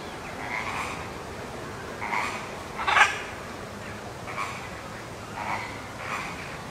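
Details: Blue-and-yellow macaws and a macaw hybrid kept at Wuppertal Zoo in Germany give a series of hoarse, raspy squawks, about one per second, with one louder burst near the middle, against low background hiss.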